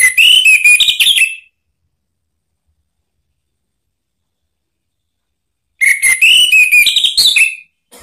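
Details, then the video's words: Anis merah lure song intended to make another orange-headed thrush answer: a rapid burst of varied whistles and trills, then silence, then a second lively phrase of gliding, overlapping whistled notes. "isian TAJAM !!! bikin ANIS MERAH EMOSI NYAUT NGEPLONG ¦ PANCINGAN AM ¦ TERAPI MACET"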